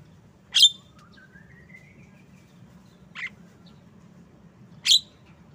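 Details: Harsh chip from a Javan myna, then a thin, slowly rising whistle lasting over a second, a softer buzzy note, and another loud chip, over low background hum.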